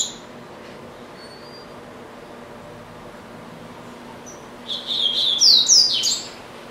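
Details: Caged double-collared seedeater kept at home, said to sing all day with pauses to eat; after four quiet seconds, a short burst of high, rapid twittering notes with sweeping whistled slurs closes the phrase.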